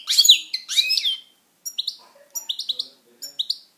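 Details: Pet European goldfinch in song, giving a loud tinkling twittered phrase followed by a string of short clipped chirps with rising inflections, delivered in quick groups.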